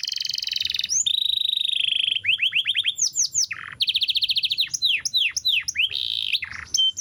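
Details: Chirpy canary song used to tutor competition birds, opening with long buzzy sustained tones, then quick runs of sweeping chirps and rolling trills, switching phrase types every second or so with no other sounds.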